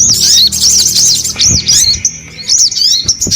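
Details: High arched chirps from a crimson sunbird (sogon), delivered in quick looping notes, a short pause, then more sharp rising-falling twitters.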